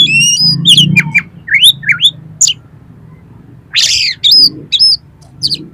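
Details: Oriental magpie-robin song aimed at making a kept bird sing and spread its tail: high whistled phrases, swooping slurred notes about twice a second, then a rasping harsh burst and more whistles, low hum underneath.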